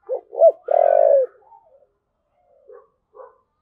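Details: Spotted dove, "thúc gù" style coo: a quick pair of soft hollow notes leads into a sustained, rough, purring low note. A few faint, muffled coo fragments follow after a pause.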